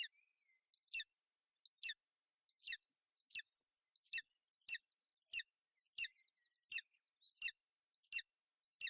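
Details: Bucovina golden eagle nest, 28 May 2021, female sheltering her chick from bad weather: a long sequence of thin, high chirps, each dropping in pitch, delivered about once every two-thirds of a second.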